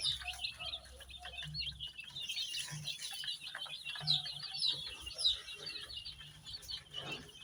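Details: Numerous dyed baby chicks in many colours peeping loudly, with bursts of sharp, high chirps tumbling over one another and a low steady hum beneath.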